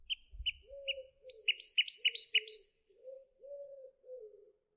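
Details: Song thrush singing: a clipped double note repeated four times, then a quick chirping phrase repeated five times, then a high descending whistle. Low, steady hoot-like tones run underneath throughout.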